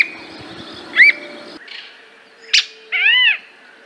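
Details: Squirrel cuckoo delivering a short arched whistle, then after a pause a sharp, explosive chip and a longer mewing, downward-bending nasal note; faint background hiss early on.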